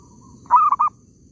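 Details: One cooing phrase from a zebra dove in an oil palm plantation during bird catching: a sustained, slightly rising note, then two brief pulsed coos, after a faint distant call.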